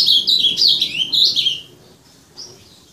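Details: Azulão (ultramarine grosbeak) delivers a loud, fast warbled phrase of high sliding notes lasting about a second and a half, followed by quiet and one soft trailing note.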